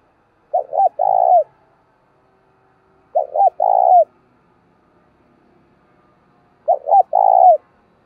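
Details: Decoy spotted dove cooing to attract wild doves: three identical phrases at about three-second intervals, each made of two short curved notes and a drawn-out, rolling coo, with silence between them.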